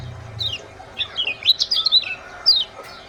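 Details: Bird chirping used to stimulate lazy birds to sing: a run of high, rapid, sweeping chirps and trills, loudest in bursts around one and a half and two and a half seconds.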